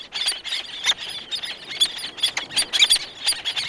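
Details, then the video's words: Several black-naped terns calling close by, others farther off, with wing beats; rapid overlapping shrill, squealing cries crowding every fraction of a second. "Black Naped Tern / Black-Naped Tern. CU Calls From Several, Others In Distance. Good Wing Beats."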